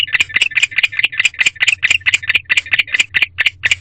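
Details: Male barn owl at an owl box at night on 16 February 2023, chirping, likely calling for his mate: rapid, steady series of short raspy chirps, about three per second, with a low hum underneath.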